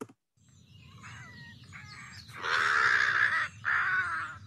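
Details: American crow (Corvus brachyrhynchos) giving harsh, grating caws, more harsh and lower than a fish crow: two faint short calls, then two long, loud, rasping caws back to back, over a low background hum.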